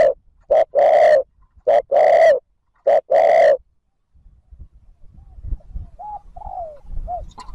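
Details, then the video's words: Spotted dove calling to lure wild birds: three deep two-part coos in quick succession, each a clipped note followed by a longer mellow hoot, then quieter, higher faint notes and soft background rumble. "TIẾNG CHIM CU GÁY THÚC GÙ KÍCH BỔI NHANH NỔI CỰC SUNG, MỒI NGHE LÀ GÁY"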